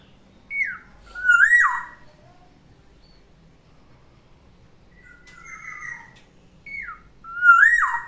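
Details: Captive black-naped oriole in morning song, a pet: falling whistle followed by a loud rising-then-plunging fluted phrase, a softer hoarse note mid-way, and the same loud phrase repeated about six seconds later.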